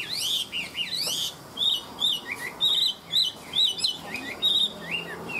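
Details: A tame hwamei, described as a strong fighting bird, sings in the ngũ trường style: sharp upward-sweeping whistles at the start, then clear, looping whistled notes repeated roughly twice a second.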